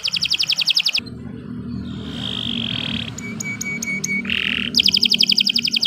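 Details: Canary singing a long training song: fast buzzy rattled trills at start and end, framing soft level whistles and short high pips, over a steady low hum.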